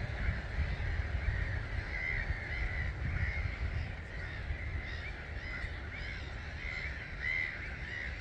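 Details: Massed starlings, roughly 250,000, departing a roost at dawn (05:45) at Gibraltar Point NNR, 21 March 2022; continuous overlapping squeaky chatter with brief louder bursts, beneath a steady low roar.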